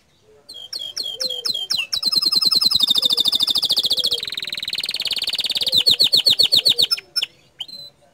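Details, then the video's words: Canary singing a 'gacor dor' style song: spaced sharp chirps lead into a long, loud run of fast rolling trills and rapid pulsed notes, high and bright, then separate chips at the end. "Kicau Kenari Gacor Dor"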